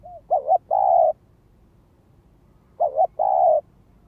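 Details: Spotted dove used as a ground lure bird, calling to provoke wild doves: two loud phrases about 2.5 seconds apart, each a short double-pulsed coo then a long steady mellow coo, with a faint soft note at the start.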